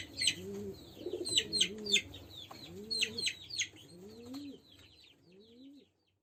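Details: Young pelung dove in a crying practice call: a run of low, rising-and-falling coos, fading toward the end, with high chirps from other birds early on.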